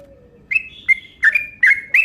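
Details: Yellow-vented bulbul lure call in the long rapid 'ropel' style: five short bubbly chirps, each a quick rising then level note, repeated about every third of a second, after a faint low whistled tone sliding down at the start.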